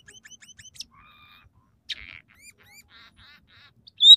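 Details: Scaly-breasted munia (emprit peking) in lively song with three song variations, filled with sparrow, red siskin and canary phrases: quick high ticking notes, flat whistled tones, a buzzy burst, short rising whistles, and a loud high note at the end.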